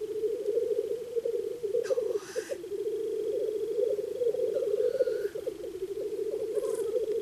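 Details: A spring black grouse lek: many displaying males with spread wings give a steady, low bubbling chorus, broken twice by harsh, sneezing hisses, amid males' battle cries and jumping.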